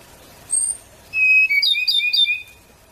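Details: Endangered Ryukyu robin of Okinawa, Japan, delivering a high thin note, a pause, then a steady whistle breaking into a rapid rolling series of sweet, slurred two-part notes.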